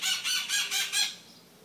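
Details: Maritaca parakeets calling in the morning: a run of five loud, harsh squawks in quick succession, each burst broad and raspy, fading to quiet background.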